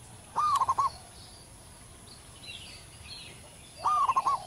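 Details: Local zebra dove singing in the wild with a big, long voice: two cooing phrases about three and a half seconds apart, each a clear first note followed by several rapid, ringing pulses. Soft distant chirps are heard in between.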